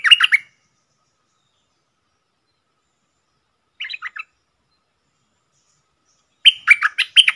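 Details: Red-whiskered bulbul, a wild bird responding to a caged decoy, gives short bursts of chirpy whistled notes separated by long silent gaps, a brief phrase at the start, a quieter one midway and a livelier run at the end.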